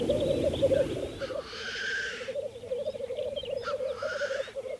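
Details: Black grouse lekking in spring 2014 on Saaremaa, Estonia: an unbroken low bubbling roll with two loud, harsh, sneezing hisses, each about a second long, rising above it.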